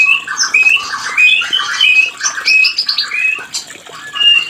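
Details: Mating call of a white-rumped shama, meant to stimulate stalled breeding: a rapid, unbroken medley of sweet whistled notes, short rising slurs and scratchy chatter, tightly packed and varied throughout.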